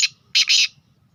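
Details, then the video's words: Sindhi black francolin, described as a speeder, utters a short harsh phrase: one brief grating note, a pause, then two longer rasping notes run almost together, over a faint low hum. "Bhot Achi nasal ka speeder Numbri Sindhi kala teetar"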